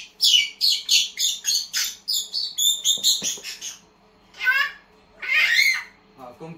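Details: Pet grey parrot that repeats speech gives a rapid run of about a dozen shrill, squawky notes, then after a pause two longer harsh, raspy calls; quiet background.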